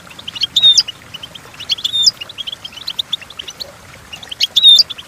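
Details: Goldfinch song for training young goldfinches to sing: quick high chirping twitters punctuated three times by loud sweet whistled glides, the last near the end, in a clean, quiet recording.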